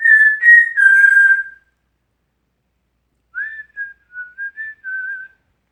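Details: Indoor pet African Grey parrot, male, whistling an original tune: one sustained warbling whistle, a pause of nearly two seconds, then five or six short clear whistled notes.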